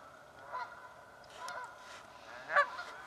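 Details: Swamp recording of Canada geese disputing nesting spots; a few softer, more distant honks, then one sharp loud call near the end.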